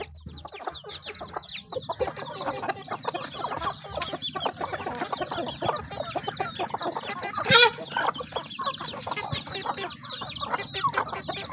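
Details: Chickens eating with their young, a continuous crowded chorus of thin high peeps and chirps from many birds, steady throughout with one brief loud burst near the middle.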